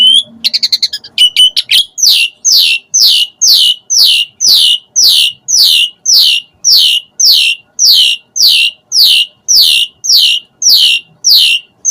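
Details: Asian pied starling song used as an emotion-raising lure so captive starlings start singing quickly: a few quick opening chips, then a steady series of loud, sharply falling whistles repeated about twice a second.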